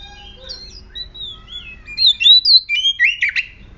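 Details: Oriental magpie-robin singing aggressively, used as a lure for other magpie-robins. Soft, scattered whistles at first, then loud sliding notes building to a harsh burst near the end.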